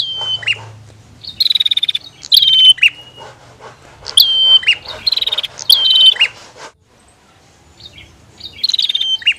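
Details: Bar-winged prinia, female versus male, trading loud buzzy rattles and high whistled notes that slide down and level off. The bursts come in a run, then pause near the end, with a faint low hum early on.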